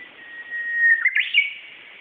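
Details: Japanese bush warbler singing in Hinohara village, Tokyo, on 4 May 2011: a long, steady, clear whistled note swells in loudness, then breaks into a quick, rising, warbled flourish of brighter notes before fading, against a soft hiss.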